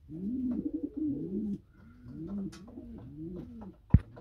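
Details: Pair of Norwich pouter pigeons kept in a loft in Pakistan during moulting season; low bubbling coos in rolling arched phrases, repeated several times, ending with a sharp knock.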